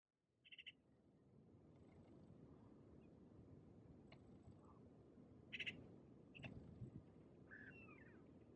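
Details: A Maghreb magpie at Oued Souss, Morocco, in November 2018 gives a few scattered harsh, rasping chack notes and a squeaky rising-falling note over a steady low rumble of background noise.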